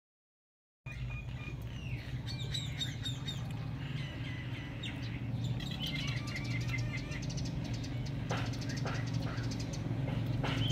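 A cockatiel gives a run of short whistled chirps and warbles over a steady low hum.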